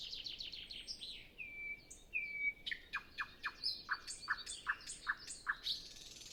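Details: Nightingale in the windless pre-sunrise quiet: a quick descending trill, long pure sustained whistles, then a steady run of about eight loud clipped notes, evenly spaced. Captured on Zoom F6 with Sennheiser MKH 8040.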